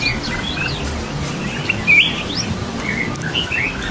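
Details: Wild breeding pair of hill prinias: high, quick chirps and short upslurred notes scattered through the clip, one louder note near the middle, against strong low rumbling background noise.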